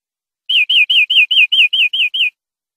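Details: Nine slurred, downward-curving whistles evenly spaced in a quick series, from a European greenfinch tutor recording meant to teach captive birds, with a clean silent background.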